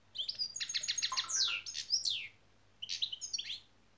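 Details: Caged European goldfinch in song training, giving a rapid run of bright buzzy notes repeated about seven times, then sweeping downward slurs, a pause, and a shorter burst of high chirps and falling slurs; faint low hum beneath.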